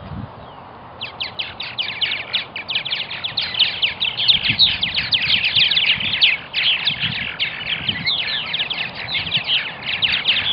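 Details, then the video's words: Purple martins at a colony in Melbourne, Florida: busy chorus of rapid, overlapping chirps and gurgling notes, roughly three per second, over a low background rumble. "Purple Martin Klatch"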